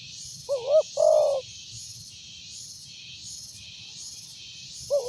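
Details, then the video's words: Spotted dove with a strong voice, for use as a lure, giving one coo phrase of short rising notes and a long low coo, then beginning another after a pause, under a rhythmic high insect-like pulsing chorus. "Tekukur suara besar cocok buat pancingan"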